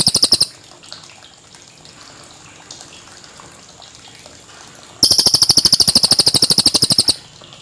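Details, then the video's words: Cililin song, clear natural recording: a trill ends at the start, several seconds of low background hiss follow, then a new rapid, steady series of high shrill chips runs for about two seconds. "Masteran Burung CILILIN JERNIH Suara Asli"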